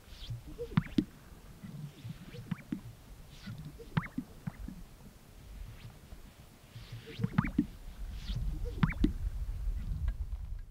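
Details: A male Greater Sage-Grouse displays at a lek on a snowy early-spring April morning in Colorado. He gives deep, muffled booms, inflating his chest air sacs, with sharp paired pops every few seconds over low rumbling background noise.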